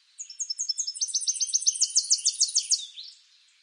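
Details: A single Tennessee warbler song, eastern North America: thin, high, repeated chips building in speed and loudness into a rapid, ringing trill that ends abruptly after about three seconds.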